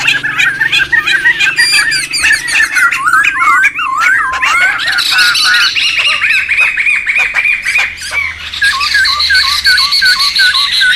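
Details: Noisy wild laughingthrush flock, a recording meant for luring and tutoring birds: a busy tangle of harsh bursts and bouncing whistled phrases, later steadier repeated looping notes over a continuous bright wash.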